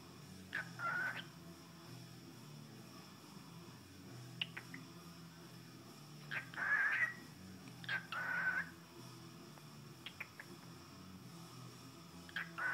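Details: A cockatiel, being scratched, says "good bird" in short, slurred, warbling bursts of mimicked speech between quiet pauses.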